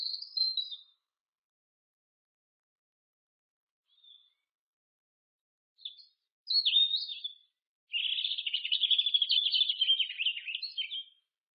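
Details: Robin song with high, sweet warbled phrases and brief scratchy notes, then a long, rapid trilling run of about three and a half seconds at the close. Spaced phrases against a silent background.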